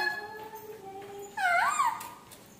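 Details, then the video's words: Parrot mimicking speech: a faint level tone, then a loud, bright syllable that dips and rises in an arch before trailing away. "talking 🦜 parrot"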